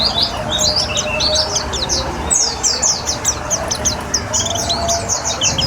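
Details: White-eye (pleci) kept in a cage and sprayed with water to prompt singing: a long, hurried stream of sharp high twittering notes, steeply slurred and densely packed, with steady low background noise.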